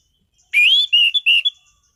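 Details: Caged orange-headed thrush singing a short loud phrase: a rising whistled opening followed by several quick level whistles and a high final note, with no other sounds.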